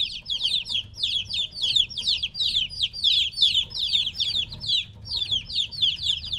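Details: Separated from their mother, chicks about three weeks old call loudly: dense rows of high, downslurred chirps from several birds at once, rising and falling in bursts over a quiet low rumble.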